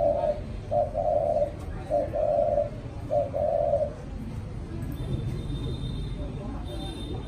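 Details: Hand-raised spotted dove of the mã phấn type, reared from a chick, giving contest cooing: three low, mellow coo phrases, each a short note followed by a longer rolling coo, then background noise.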